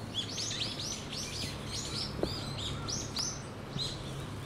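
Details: Predator warning from brown-eared bulbuls on 14 November 2013: clear high notes that sweep up and drop down in arcs, given in quick uneven runs, with a faint knock and low background hum.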